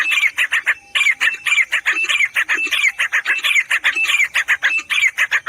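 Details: Grey francolin, known locally as teetar, giving a loud, harsh series of rapidly repeated notes, about four to five per second, each with a rising, ringing quality, continuing without pause.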